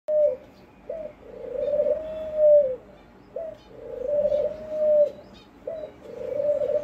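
A dove gives low, soft cooing phrases, each a short note followed by a longer drawn-out hoot, repeated about every two and a half seconds.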